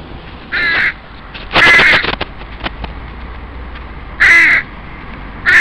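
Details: Young crows of a family back in their breeding territory after leaving a bachelor flock, begging parents for food, which now rarely share: loud harsh drawn-out calls, four bursts of under half a second, with clicks and knocks between.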